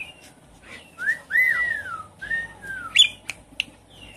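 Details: Whistled song of a Javan pied starling, used to prompt a silent caged starling into singing: several long, slurred whistles bending up then down, followed by a few sharp clicks and chirps.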